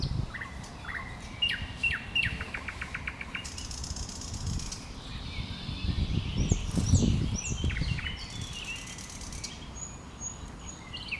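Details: Singing common nightingale in bushes: a burst of fast repeated sharp notes opening the phrase, then high thin whistles and softer chips, while low rumbling noise grows louder in the middle.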